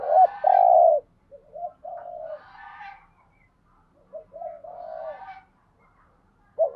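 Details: Spotted dove coos used to stimulate other doves: a loud long coo opens, followed by quieter repeated hooked coo phrases overlaid with higher, harsher chattering sounds and light background noise.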